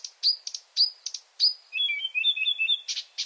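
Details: Marsh Warbler, heard on a virtual Finnish night-singer trip, giving crisp whistled upslurs and buzzy clicks, then a rolling warbled trill before harsh rasping notes.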